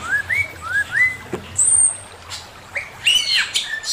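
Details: Male Chinese hwamei singing master song: paired upslurred whistles, a long thin very high whistle, then rich varied warbled phrases.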